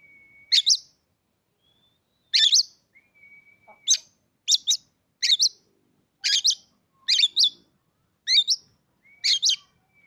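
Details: Caged Oriental magpie-robin, bought three days earlier after staying silent for its first owner, sings loud harsh double-noted bursts roughly every second, mixed with long thin steady whistles between them, in a quiet indoor setting.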